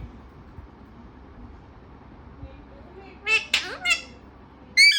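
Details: Parrot mimicking speech: after a long hush, three rapid raspy, voice-like syllables follow one another, then an abrupt loud shrill note cuts in at the end.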